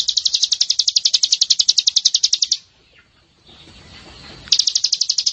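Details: White-eye (pleci) training masteran: a fast, evenly repeated high chattering trill, broken by a short quiet pause with faint low background noise, then resuming.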